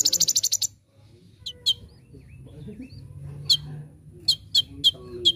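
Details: Olive-backed sunbird (konin), recorded as training material for birds: a short harsh buzzy trill opens, followed by a quiet stretch and then scattered sharp high chirps.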